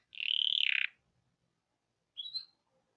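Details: Hipi-type canary giving a dense, fast, rolling trill lasting under a second, then a short pause and a brief rising chirped note.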